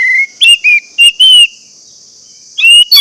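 An orange-headed thrush gives a burst of clear, sliding whistled notes, a pause, then two more bright phrases. A thin, steady high whine runs underneath.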